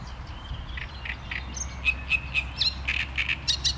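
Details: Great reed warbler song beginning quietly, then building into harsh, scratchy repeated notes and short chattering phrases over steady low background rumble.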